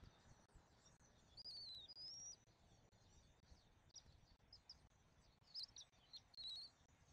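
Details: Young bald eagle at a nest in Southwest Florida, being fed its dinner on 13 January 2024, filmed by a nest camera; high thin whistled chirps, some rising and some falling, come in short bursts over steady background hiss.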